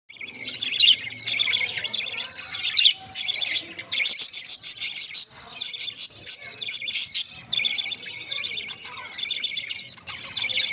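Budgerigars chatter in a steady, high warbling stream broken by quick, clicking bursts.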